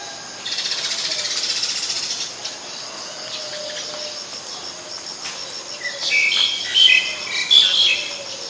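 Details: Calls of a black-collared starling in Ubon Ratchathani, Thailand, on 10 February 2023: a loud, rasping burst lasting nearly two seconds, a quieter pause, then clusters of bright, high whistled notes, with a cricket-like trill throughout.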